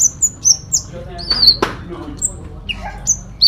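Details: Fighting song of a sooty-headed bulbul packed with fill-in phrases: clear high whistles dropping in pitch, a brief trill, a sharp clack midway and soft low murmuring underneath.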